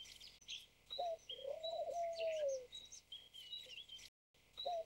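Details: A White Turtle Dove, a bred white form of Streptopelia with a black neck ring, gives a soft, low coo: a short note, a long swelling then fading hoo, and another short note. Thin high chirps from small birds sound behind.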